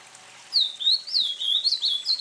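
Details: Azulão, the ultramarine grosbeak of Brazil, delivering a fluid whistled phrase of looping, up-and-down notes in steady succession, clear and sweet, with a hushed background and nothing else audible.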